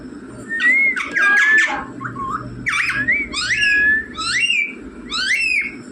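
A rose-ringed parakeet repeats short, shrill word-like phrases, mummy and papa, with rising and falling squawky syllables, about one phrase a second.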